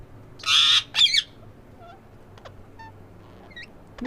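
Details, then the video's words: Breeding pair of green ring-necked parakeets: two loud harsh squawks close together, then quiet with a few faint thin chirps and a short scratchy note at the end. "Green ring neck parrot"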